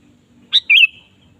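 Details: A sooty-headed bulbul in lively singing form, used as a lure for a kept bird, gives one short phrase: a sharp high note, then a brief liquid, warbled whistle that trails off, in quiet surroundings.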